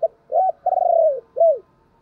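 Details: Spotted dove used as a decoy, calling: four loud, low coos in about two seconds. A short note, an arched coo and a long slowly falling coo, ending with another arched coo.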